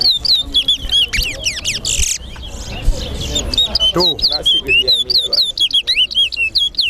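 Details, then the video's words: Chestnut-bellied seed finch, known in Guyana as towa towa, caged and singing in a competition; rapid whistled notes sliding down and up, delivered in quick bursts, with people talking and cheering in the background. "TOWA TOWA BIRD COMPETITION"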